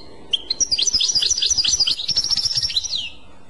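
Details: European goldfinch delivering a continuous Clochette-style phrase of quick, high chirps and twitters strung together for about three seconds before stopping.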